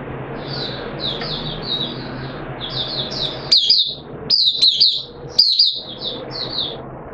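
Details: Oriental white-eye singing in captivity on 13 September 2022, the second day of deworming. Soft, high twittering runs steadily, then sharper, louder chirp bursts break in at roughly one-second intervals.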